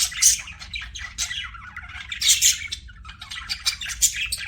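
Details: Pet budgies calling with sharp, high chirps and rasping squawks in uneven bursts, a softer chattering background between louder notes.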